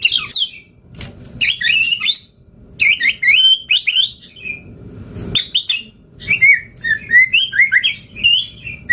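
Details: White-rumped shama in lively full song, used as a lure and master recording to make other shamas answer: rapid varied whistled phrases, sweeping and warbling between high and mid pitch, delivered in bursts with short pauses, over a low background hum.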